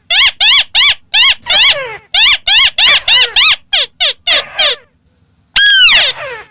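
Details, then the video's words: White-browed crake giving a rapid series of loud, nasal, arched notes, about three per second, breaking off after nearly five seconds, then one longer harsh downslurred call. "Tiếng chim Mắt Xéo | The sound of Amaurornis Cinerea"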